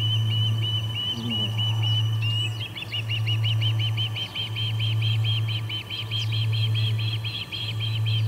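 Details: At the Charlo P2 osprey nest on August 21, 2020, 4:15pm MDT, one osprey flapping and another flying, with a third nearby: a long, even series of sharp whistled chirps, speeding up midway, over a droning hum.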